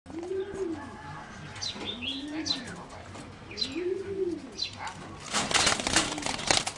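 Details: A competition singing zebra dove, from a line selectively bred over 60 years from a wild mutation and singing differently from wild birds, gives soft, low, rolling coos that swell and fall about every two seconds, with higher chirps from other birds and rustling near the end.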